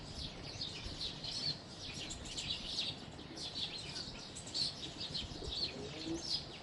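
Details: Constant, dense twittering of a group of house sparrows: sharp high chirps pile on one another for over six seconds, with soft background hum below.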